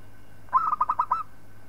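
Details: Local zebra dove used as a tutor for other birds: one brisk phrase of around six mellow, rolling coo notes packed into less than a second, then quiet with a faint hum.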